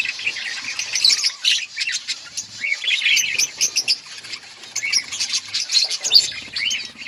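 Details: Budgerigars chirping in an outdoor colony: overlapping high twittering, squeaks and short rising whistles from several birds, swelling and fading in waves.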